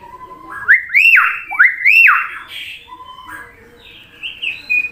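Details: Common hill myna imitating human voices: loud rising whistles that swoop up sharply twice, a harsher squawk, then quieter broken whistled notes ending on a level tone.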